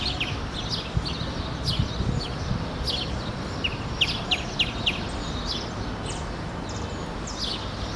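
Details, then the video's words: Wing-banded hornero singing: sharp, high chirps, scattered and sometimes bunched into quick short runs, over a steady low rumble of background noise. "Casaca-de-couro-da-lama e seu canto."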